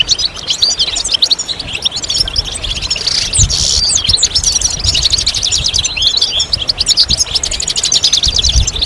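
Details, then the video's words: European goldfinch song: rapid, continuous tinkling twitters and buzzy trills with a brief harsh burst, over low background noise. "goldfinch stimulation"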